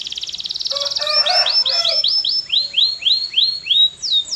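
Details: Canary in full song: a fast pulsing trill rolls into a long series of rising-then-falling looped whistles repeated roughly four times a second, loud and clear.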